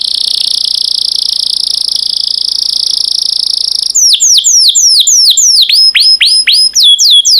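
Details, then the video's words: Yellow canary singing: a steady, high, buzzy rattle held for about four seconds, then a change to sharp, separate downward-sweeping whistled notes. "Burung Kenari Kuning yang Cantik || Suara Merdu"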